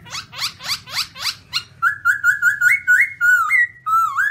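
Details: White-cheeked black-throated laughingthrush song: five quick harsh, rasping notes, then a steady series of loud, clear whistled notes, each bending upward, getting slightly higher, ending in a dipping whistle.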